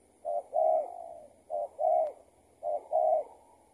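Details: Spotted dove answering a decoy while being trapped; the bird is someone's escaped tethered decoy. Three clear double coos, a short note then a longer rolling one, spaced about a second apart, with a faint click.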